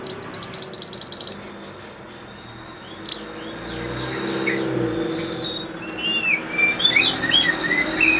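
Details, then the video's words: Mantenan bird singing briskly as a songbird training recording: opens with a quick rattling series of high notes, a quiet hum-filled gap with a sharp click, then a mix of short whistled slurs and chirps. "mantenan gacor burung masteran / chirping sound bird"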